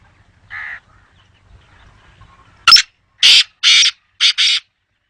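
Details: Black francolin giving its harsh call: one soft buzzy note followed by four loud, rasping, broadband bursts in a fast, slightly uneven rhythm over near silence.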